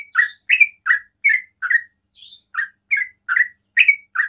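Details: Sooty-headed bulbul ropel singing, used to trigger calls from other bulbuls: brisk, rich chirps in steady succession, broken once by a thinner, higher note before the rhythm picks up again.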